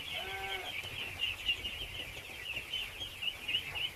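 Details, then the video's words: Huge crowd of ducklings at feeding time, a constant wall of high-pitched peeps from many birds, a short harmonic call near the start, and steady background noise. "feed thousands of baby ducks!!"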